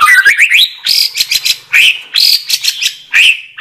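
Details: Murai batu (white-rumped shama) delivering loud, bright phrases: slurred rising whistles followed by harsh chattering bursts, repeated in three or four quick bouts.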